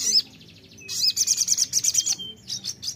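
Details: Sogon lure song meant to prompt another bird to sing: a sharp high note, then a fast series of bright repeated chirps, ending in a few softer twittering notes.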